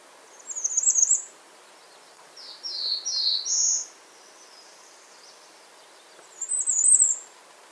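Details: High, thin calls of a bay-breasted warbler: a jittery high burst, three slurred notes a little lower in pitch, then a final fine trill after a pause, with faint steady background hiss.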